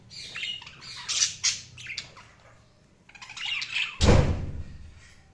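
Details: Budgerigars chirping indoors: bursts of buzzy, scratchy warbles and squawks around one and a half seconds apart, with a loud low thump near the end.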